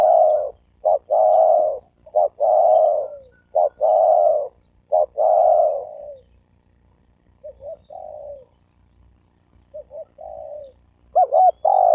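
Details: Spotted dove coos meant to provoke males and females into fighting. Loud phrases of short clipped notes and long falling coos follow one another rapidly, then softer, quieter coos trail off before a loud double note returns.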